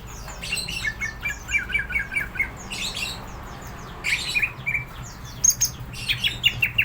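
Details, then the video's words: Greater green leafbird in lively song, described as ready to fight, pouring out clusters of quick chirps and buzzy trills with short gaps between bursts. "Burung cucak ijo gacor,hiper siap tarung.!!!!"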